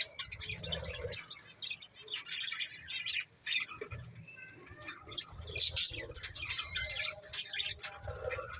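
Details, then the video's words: Budgies chirping: scattered bursts of high, scratchy chirps and squawks, some clustered, others short and isolated, with quiet pauses and a low rumble underneath. "Cute Budgies Chirping Sounds"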